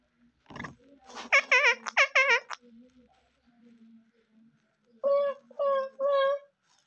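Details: Rose-ringed parakeet, a green ring-necked parrot, mimicking Urdu or Hindi speech such as "mian mithoo": a quick throaty burst, two wobbling voiced phrases, a quiet gap, then three evenly spaced level syllables.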